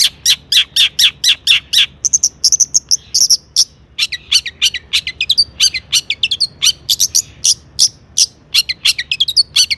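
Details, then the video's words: Long-tailed shrike singing a rich medley to provoke other shrikes: runs of rapid high chirps, a short buzzy high passage, then varied clipped notes and rising slurs, continuous and lively. "burung cendet gacor EMOSI MEWAH buat PANCINGAN CENDET AGAR BUNYI bikin BURUNG PENTET GACOR NYAUT"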